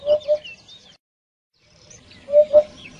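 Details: Hoopoe calling to gather its flock: a low double hoot, a brief silent break, then another double hoot, with soft high chirps from other birds.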